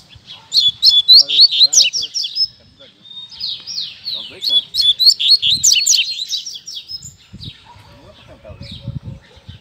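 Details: A caged Double-collared Seedeater, raised among Lined Seedeaters and singing their style, gives a fast, high twittering song of sweeping chirps and buzzy trills amid other caged birds. Low voices murmur faintly.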